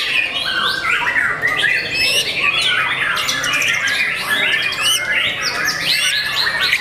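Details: Rich, dense song from a young kept white-rumped shama, mixing mellow whistles, rapid chirps and high sharp notes in overlapping, fast-changing phrases.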